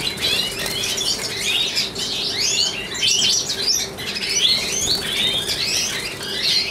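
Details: Male European goldfinch of the large type, satiné mutation, hatched 2013 and kept as a 2015 breeding bird, carrying the white-head trait; a lively stream of high twittering, buzzy slurred notes and rapid chirps over a steady low electrical hum.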